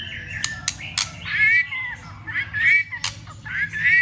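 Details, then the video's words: White-rumped shama delivering a vigorous fighting song with tail-flicking to stimulate rivals: several crisp clicks followed by rich warbled whistled bursts, repeated with brief gaps and high faint notes overhead. "Chòe lửa kích lửa cực sung ,tạch liên tục đập đuôi kích chòe lửa lên lửa hót đấu.chòe lửa hót"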